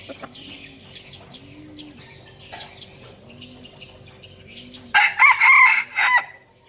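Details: Red junglefowl, a decoy male, crowing once near the end: a loud, broken, harsh phrase of about one and a half seconds, rising then cut off, after several seconds of quiet chirping birds and a steady low hum.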